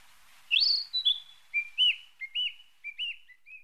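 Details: Narcissus flycatcher on brief migratory stopover. One high upslurred whistle opens the clip, followed by a series of softer, lower whistled notes with short upturned shapes, roughly evenly spaced. A faint hiss lies underneath.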